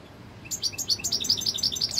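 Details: Royal goldfinch, a European goldfinch, recorded in 2021, breaks in after a short silence with a fast, lively string of high, clear notes. They come about ten to a second in a ringing, metallic twitter.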